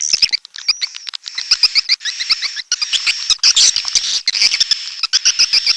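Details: Red-nest edible-nest swiftlet call: shrill, high chattering. Repeated short chirps are layered over a thin sustained whistle-like tone, with clicks between bursts.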